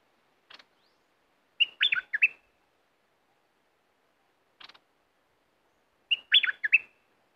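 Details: Aggressive red-whiskered bulbul kept as a caged decoy bird sings the same lively phrase of slurred, bubbling whistles twice, about four and a half seconds apart. A short faint click comes before each phrase, and the gaps are silent.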